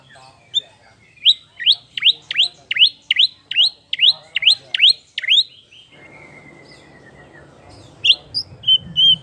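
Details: A post-moult White-rumped shama, used as a lure song, gives a rapid series of about ten loud, sharply falling whistled notes, then a long thin descending whistle and a few bright high notes.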